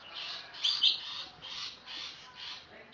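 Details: Oriental magpie-robin singing loudly, used for tutoring songbirds: harsh, squawky high notes repeated roughly every half second in a rhythmic chatter, with two louder, clearer whistles early on.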